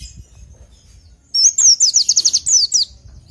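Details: Oriental white-eye singing a training song: after a quiet start, a short rising whistle leads into a quick string of about ten high, thin, falling notes, ending in two longer downslurred whistles.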